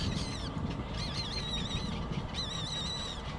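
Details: Baby bird begging for food until it falls asleep: thin, wavering high squeals in two drawn-out bursts, each sliding up and down, over a steady low rumble.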